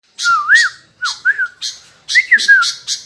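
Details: Sooty-headed bulbul singing nonstop and answering back: three short bubbly whistled phrases, each rising and falling in smooth loops, separated by brief pauses, with harsh broadband chattering bursts above the whistles.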